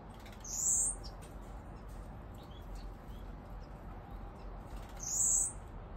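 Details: A blue-capped cordon-bleu in an aviary, where a male was added to prompt territorial behaviour, gives two thin, very high, sweeping notes about four seconds apart over a steady low hum.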